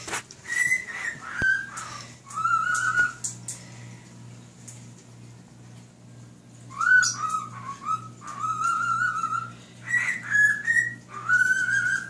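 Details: Pet male cockatiel whistles Nights in White Satin to a fish and other birds: clear melodic phrases that rise and fall in short bursts, separated by pauses, over a steady low hum.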